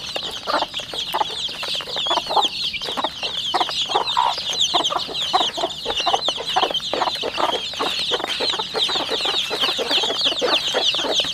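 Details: A flock of 40-day-old chicks raised at home in the countryside gives a steady, crowded stream of shrill peeps, overlapping without pause, mixed with short, lower clucks repeated irregularly.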